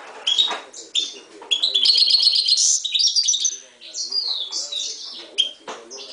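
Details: Mule bird from 2011, Himalayan goldfinch × timbrado canary hybrid, singing a rapid twittering run of high chirps and trills that merges into a dense buzzy stretch, then looser whistled notes, with soft low background sounds.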